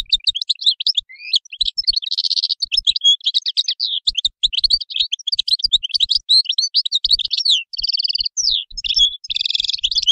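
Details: Sustained European goldfinch song: an unbroken stream of rapid, high, tinkling twitters mixed with buzzy, wheezy trills and repeated chirping phrases.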